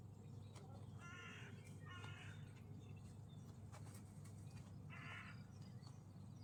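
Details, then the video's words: Seagulls, described as very loud with strange sounds, give three short, harsh, harmonic squawks, two close together and one after a pause, against a steady low rumble of background noise. "Seagulls are very loud and make strange sounds"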